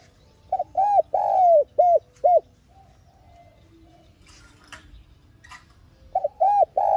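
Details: Spotted dove lure bird calling and urging to attract wild doves for trapping; rhythmic series of mellow, hollow coos, one longer drawn note among short ones, a pause with faint clattering, then another burst of coos.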